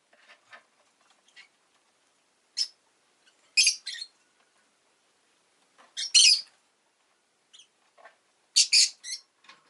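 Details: Rosy-faced lovebird kept as a pet, giving piercing, harsh chirps in short paired bursts roughly every two to three seconds, with faint softer twitters in between against a quiet background.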